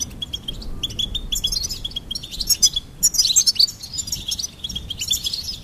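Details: Goldfinch chirping in quick, high, twittering phrases. Repeated clipped notes build into denser, jangling flourishes in the second half, with little background noise.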